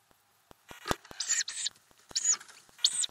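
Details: Ural owl family inside a nest box with growing owlets, recorded by a camera under the lid in May 2020; short breathy hissing bursts, several in quick succession, with faint tapping and scratching sounds between them.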